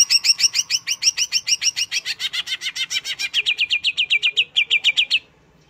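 Greater green leafbird song: a fast, even run of bright chirps, about three or four a second. It shifts from doubled notes to sharp falling strokes, then stops abruptly.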